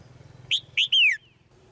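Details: Female bird calling from a cage to make the male sing harder: three quick, bright notes, the third a longer whistle falling in pitch, over a faint low hum.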